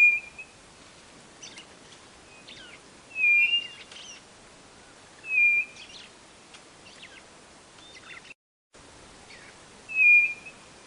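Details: White-bellied nothura song: a high, steady whistle repeated roughly every two to three seconds, five times, amid faint chirps of other birds and a brief gap of silence.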